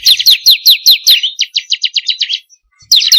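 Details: Bar-winged prinia of the 'kristal' type, a recording played to lure and train kept birds to sing; rapid, sharp downslurred chirps about six per second, then a quicker run of short notes, a pause, and chirping resumes.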